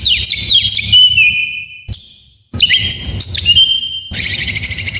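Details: White-rumped shama full song, played to encourage lazy shamas to sing: descending whistled slurs, a long steady whistle after a short pause, more sliding notes, then a harsh pulsed rattle at the end.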